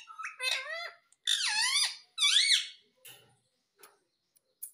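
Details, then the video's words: Talking parrot indoors: three harsh squeaky sliding calls in about two seconds, followed by soft faint noises. "Talking Parrot"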